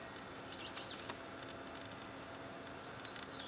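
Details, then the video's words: Fledgling Dark-eyed Junco begging incessantly from a railing while both parents forage, in redwoods at Guerneville, Sonoma County, California, May 7, 2020: five very high, thin, clipped notes at uneven intervals of about a second over a soft hiss. "Fledgling Dark-eyed Junco calling"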